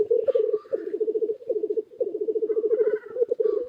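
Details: Many black grouse cocks at an early-spring lek, heard from a blind after gathering and landing on the ground: continuous low bubbling rookooing in rapid pulses, with occasional hoarse hissing sneezes above.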